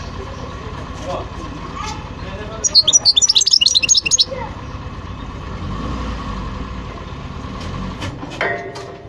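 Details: European goldfinch song: a brief, fast series of sharp, liquid twitters of about one and a half seconds, set in a long stretch of low rumbling background noise.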